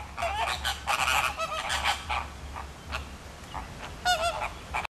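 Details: Zoo flamingos at Philadelphia massing and circling with flapping wings, a chorus of quick honking and chattering calls, dense at first then scattered, a loud nasal honk near the end, low hum underneath.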